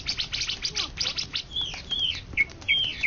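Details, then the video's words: Greater green leafbird, an Indonesian national champion songbird of 2013–2014: a fast burst of high, buzzy chirps and twitters, then clear high whistled notes sliding downward, several short phrases in quick succession. "Cucak Ijo Juara satu se Indonesia Raya 2013 2014"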